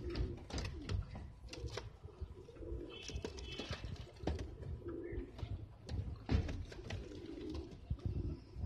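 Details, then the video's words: Low, throaty coos from Filo pigeons rise and fall in several drawn-out bursts, each about a second long, mixed with sharp taps, rustling and wing movement from the birds. "Filo Güvercinleri"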